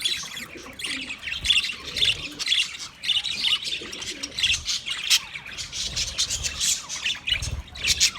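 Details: Budgie chirping for a lonely bird: steady, lively high-pitched chatter of short twittering notes and sharp chirps, pulsing in bursts roughly every half second, with occasional low knocks.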